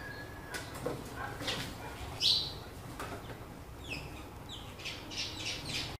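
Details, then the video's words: Sparrows fighting for a new nest box: a loud sharp chirp midway, then a quick series of high descending chirps toward the end, mixed with scuffling and flapping noises. "sparrow birds fighting each other for new Box nest"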